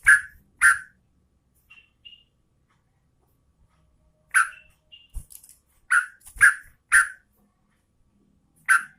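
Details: Sooty-headed bulbul, described as a female calling the male, giving short, loud, bubbly chirps in irregular bursts, several in quick succession near the end, with soft thumps and faint higher notes between.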